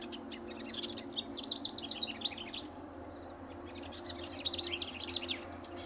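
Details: Riparian House Wren at Linscomb W.A., singing without pause: dense high bubbling trills and rapid twittering notes in two energetic phrases, with a thin steady high tone and low background hum.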